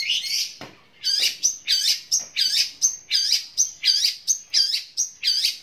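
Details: Long-tailed shrike (cendet) singing in the "gereja tarung sambung kunti" style, loud and long: harsh, scratchy high notes with sharp ringing tips, repeated roughly twice a second in a steady, forceful series.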